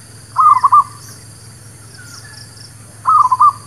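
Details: Zebra dove lure song: two rapid, rolling cooing phrases of four or five notes each, about two and a half seconds apart, faint other bird chirps between them and a steady hum.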